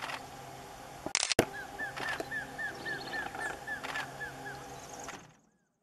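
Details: A single White-bearded antshrike (Biatas nigropectus) calls by the roadside at Arroyo Tacuara, Ruta 101, Iguazú National Park, Misiones, Argentina, on 23 August 2018, giving about a dozen short, arched, evenly paced mid-pitched notes after sharp knocks and a soft hum.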